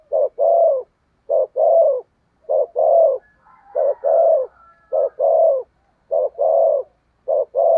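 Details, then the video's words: Caged decoy spotted dove in 'thúc gù' coo style, used to attract wild doves: deep hollow coos in quick doubled bursts, steady rhythm with short gaps, faint higher warbling behind. "Chim Cu Mồi/ cu gáy thúc gù cực đỉnh kích bổi dợt mồi hiệu quả"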